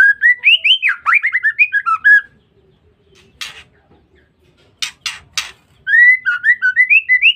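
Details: Female white-rumped shama voice used to draw out males. A fast chattering run of whistled slurs starts it. After a gap come four harsh, grating bursts, then a renewed series of rising whistles.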